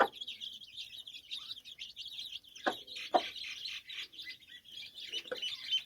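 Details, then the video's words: Chicks with their mother hen on a farm, peeping continuously in high thin cheeps, while the hen adds a few short low clucks. "Mommy chicken with cute chicks"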